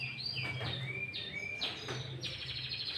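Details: Sooty-headed bulbul in loud lure song with green leafbird fill, used to attract and agitate other bulbuls; sliding high whistles, some rising and some falling, linked into a fluent phrase over low hum.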